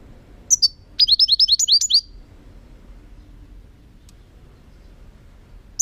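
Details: Song of a European goldfinch, 2018: two high notes lead into a rapid series of about seven bright, slurred chirps, then near silence with a faint ticking note at the end.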